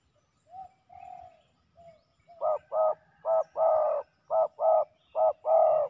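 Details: Male spotted doves fighting during ground decoy trapping: a few soft short coos, then loud, hoarse, burry coos in paired short-long phrases repeated about once a second, with no other clear sounds.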